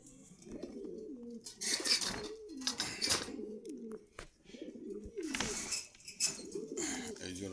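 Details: Pigeons offered for sale at a market in Khilgaon, Dhaka, cooing in overlapping bubbling phrases that rise and fall, several birds at once, mixed with sharp knocks, rustling and wing clatter.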